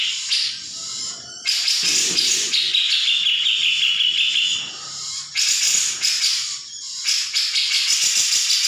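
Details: Grey-cheeked bulbul song used as a training recording to make other birds respond: dense, continuous high chattering and warbled phrases in bursts, with a longer bright warbling run in the middle and brief pauses between bursts.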